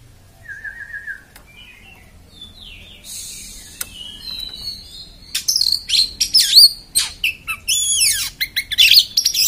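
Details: An Oriental magpie-robin starts with soft whistled notes, then breaks into loud, rough chattering and harsh scratchy phrases that grow more intense toward the end.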